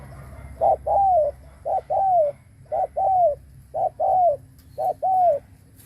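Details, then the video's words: Decoy spotted dove cooing to bring in wild birds. Five evenly spaced, low phrases, each a short hoot then a longer, downward-curving coo, roughly one per second against faint background hum. "Cu mồi đất gù kích bổi cực mạnh / Tiếng chim cu gáy kích bổi hiệu quả / cu gáy gù /Chim cu mồi gù"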